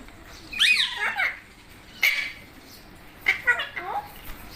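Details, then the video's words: Green parrot kept as a pet, known as mitthu, uttering three separated bursts of speech-like squawks with falling, wavering tones, about a second apart, in a quiet room. "Funny Parrot Sounds"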